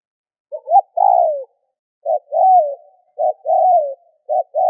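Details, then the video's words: Spotted dove call used to prompt other doves to call quickly: short clipped notes followed by a longer, lower descending coo, repeated three times at uneven spacing over a silent background. "Tiếng cu gáy kích bổi nhanh gáy hiệu quả"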